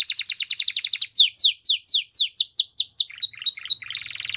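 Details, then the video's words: Belgian canary song for training, a fast rolling trill giving way to a series of loud, slower downward-sweeping whistles, ending with softer lower chattering notes. "Melodies Canaries | Belgian Canary Singing"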